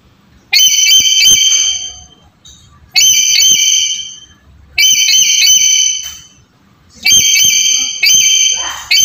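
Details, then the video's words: Shrill, ringing whistled calls of a black-capped lory, used as a lure to start a reluctant bird calling; four long, loud notes, each about one and a half seconds, repeated every two to three seconds with short quiet gaps. "Suara Pendobrak Burung Nuri Malas Bunyi"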